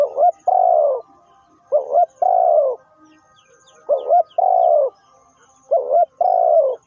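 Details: Spotted dove used as a trapping decoy, calling four times in a steady rhythm. Each phrase is a brief wavering upswept note, then a drawn-out mellow coo that slides slightly downward. Faint chirps sound in the background.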